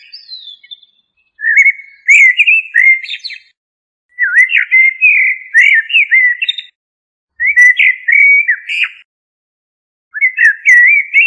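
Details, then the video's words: Common blackbird singing four separate phrases of low, fluted warbling, each rising into a brief high squeaky twitter, with clean silent gaps between phrases. "تغريد طائر الشحرور جحمومية الزرياب"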